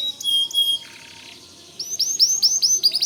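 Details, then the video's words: White canary, whose loud song serves as tutor song for white-rumped shamas: clear high whistled notes, a soft lower buzz, then a lively run of rising upswept chirps. "Suara Kicau Kenari Putih Gacor Dor"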